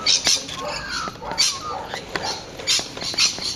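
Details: Rainbow lorikeet giving harsh, high, shrill screeches in short bursts, roughly every half second to second, with quieter chattering notes in between and a busy background of other faint bird sounds.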